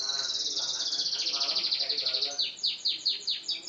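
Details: Yellow canary singing actively: a rapid, even trill of high whistled notes that shifts into a series of quick downward-sweeping whistles, about five per second, over a quiet background.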